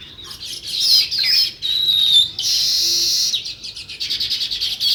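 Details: Sparrows chirping in a natural setting: bright, busy high tweets in overlapping bursts, with a sustained dense stretch in the middle and quick rhythmic chirps toward the end.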